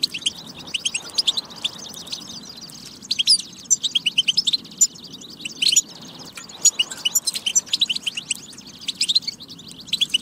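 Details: Goldfinch song played to encourage goldfinches to sing and get ready: continuous high, fast twittering with buzzy trills and clusters of sharp chirps, rising in intensity in bursts, over a soft low hum.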